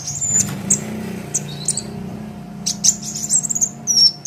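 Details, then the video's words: Sunbird singing for songbird training: scattered very high, thin tweets and short buzzy bursts, busier toward the end with a long sharp whistled note, over low droning background noise. "Suara Kolibri Ninja KONIN GACOR Untuk Masteran Kicau ! Konin Ijoan Gacor"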